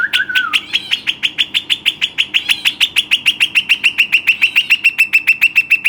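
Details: Western rock nuthatch kept as a pet: opens with a short wavering whistle, then a long fast series of sharp, ringing notes, roughly three and a half per second, easing slightly lower toward the end.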